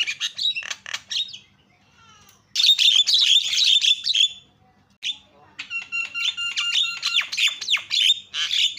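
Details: Javan myna calling as a lure for other mynas: rasping chatter, a quiet gap, a loud harsh burst, then ringing, even-pitched notes mixed with scratchy calls.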